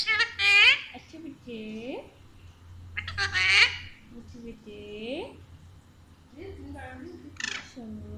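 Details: Alexandrine parakeet indoors talks in Urdu/Hindi with its owner, giving short, harmonic speech-like phrases every couple of seconds with bright, raspy squawky bursts mixed in.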